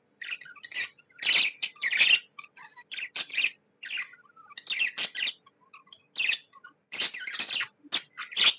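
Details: Pet budgies described as happy make clusters of buzzy, scratchy chirps separated by short silences, with faint whistled notes in between.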